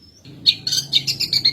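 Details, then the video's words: Long-tailed shrike, its song filled with sparrow imitations. A thin steady whistle leads into quick, sharp high chirps and rasping notes. "CENDET ISIAN GREJA NGEBAN"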